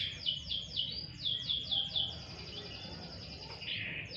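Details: Sunning canary delivers a quick run of high falling chirps, then a softer sustained trill, with low background rumble.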